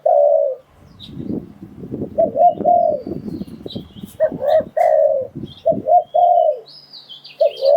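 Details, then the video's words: Spotted dove call used to lure wild birds into a trap. A long low coo opens, then rustling and clattering noise partly covers the bird before clear repeated coo phrases return, with faint higher chirps in the background. "Tiếng Chim Cu Gáy Dùng Để Đi Bẫy Gọi Bổi"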